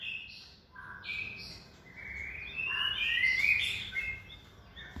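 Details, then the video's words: Hand-raised caged white-rumped shama in its second season gives softer jumbled whistled and warbled phrases over steady low background noise. "chòe lửa dáng sẻ, hót cực bền nết chuẩn đấu giàn"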